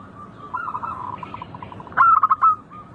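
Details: Local zebra dove: quiet cooing gives way to one loud, fast, stuttering phrase of rounded notes about two seconds in, then softer coos resume.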